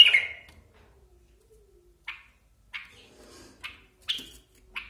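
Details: Basra bulbul, indoors, giving a loud scratchy opening note followed by short clipped chirps repeated roughly every half second to second, with quiet pauses between.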